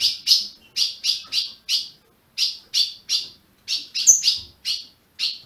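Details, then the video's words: Ultramarine grosbeak from a registered Brazilian breeder gives crisp, high chips in small clusters separated by clean pauses, about a dozen notes, played to rouse a caged bird. "Azulão piando, 30 min. para esquentar seu azulão"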